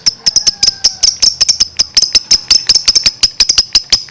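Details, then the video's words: Steady run of rapid, high, squeaky chirps from a gacor lovebird, repeated several times a second with uneven spacing. "suaranya gacor love bird"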